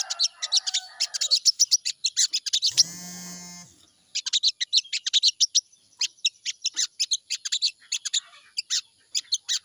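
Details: Crimson sunbird song, a lure recording for the morning meant to make the bird sing quickly: rapid bursts of very high, sharp chips and short trills, broken around the third second by a loud buzzing, rattling mechanical noise before the chipping resumes.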